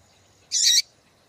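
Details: Female double-collared seedeater calling, a call used to stir males into singing. One short, harsh, high chip of about a third of a second stands alone against a quiet background.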